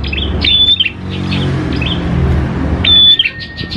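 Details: Prinia, called prenjak klawu, singing in a lure recording meant to make prinias call: two bursts of chirps, each with a clear flat whistle, separated by a quieter gap, over noticeable low engine-like rumble.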